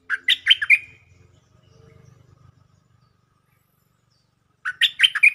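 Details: Stripe-throated bulbul lure song: a short, lively burst of bubbly, chattering notes, then a low rumbling hum, silence, and a second similar burst about four seconds later.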